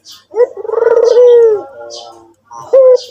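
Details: Actively cooing white dove (puter putih): a throbbing, rolling coo flowing into a long steady hoot that drops at the end, followed by a short clear note; soft high bird chirps recur behind it.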